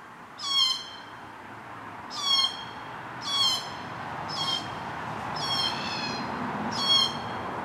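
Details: Glossy black cockatoos feeding on Casuarinas at a property in Cootharaba during their June–September stay; six creaky, drawn-out calls, several fainter and more distant, over a steady background hiss.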